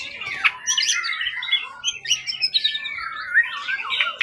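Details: Long-kept competition songbird, wild-caught from the forest, tail over 20 cm, in full singing form: a rich, continuous run of varied warbles, chirps and squawky notes, shifting rapidly in pitch with hardly a pause.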